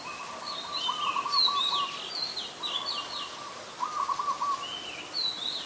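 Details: Red-whiskered Bulbul, an adult, recorded 16 December 2020 in Ubon Ratchathani, Thailand: quick high whistled chirps in short bursts, mixed with a separate lower rattling trill repeated three times.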